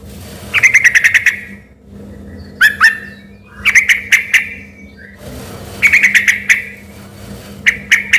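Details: Sooty-headed bulbul singing energetically: repeated short bursts of five or six rapid, ringing whistled notes, spaced a second or two apart, over a faint steady hum.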